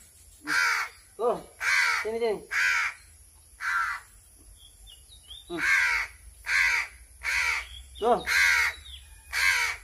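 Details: Being fed while hungry, a crow gives a run of about ten harsh, noisy caws at roughly one-second intervals, interleaved with shorter nasal, wavering notes, plus a faint thin whistle.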